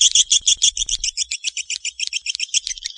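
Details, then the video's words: Swiftlet calling: rapid series of high, sharp double-noted chirps, about three per second, steady and unbroken throughout, with no other sounds. "Suara Panggil Walet A4"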